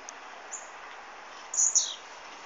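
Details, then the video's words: Blue-black grassquit giving a single brief, piercing high note that drops quickly in pitch, heard against constant hiss with a few faint soft ticks before it. "Tiziu muito louco"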